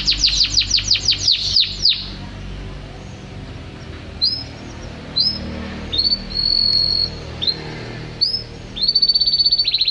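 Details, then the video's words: Canary song, left unedited: a quick burst of descending high notes opens, then scattered short whistles and brief flat tones separated by pauses. A final buzzy high phrase follows, with a soft low background hum. "تغريد الكناري بدون تعديل"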